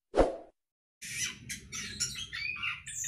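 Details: Captive Orange-headed thrush in a hanging breeding cage: a single loud plop, a pause, then a busy stream of high chirps, whistles and buzzy notes over a low rumbling background.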